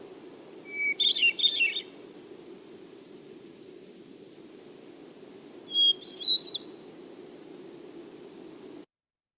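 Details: Hermit thrush (Catharus guttatus) song in a set of Newfoundland birds: flute-like phrases, each opening with a held pure note, then spiralling into fast, high, rippling notes that go up and down, over a low steady hum.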